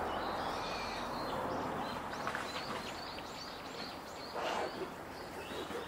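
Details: Owl chick beginning to call, giving a series of short hissy 'pishu, pishu' notes, repeated several times a second at irregular spacing over a steady broad background hiss.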